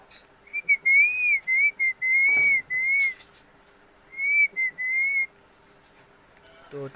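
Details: Whistling pet parrot in Assam, indoors: steady wavering whistled notes in two runs with brief breaks, a soft rustle in the middle and a short click near the end.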